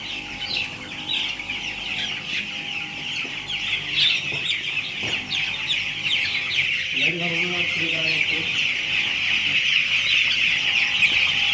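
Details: Broiler chickens on a poultry farm on day 9 of the batch, a flock giving a dense, continuous chorus of high, thin peeps with short rising chirps; a brief low voice is heard midway.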